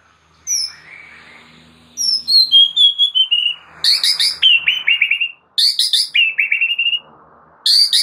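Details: Oriental magpie-robin (murai batu) master song for training caged birds: a gliding whistle, then repeated loud bursts of sharp high chips flowing into fast buzzy trills, with brief pauses between phrases.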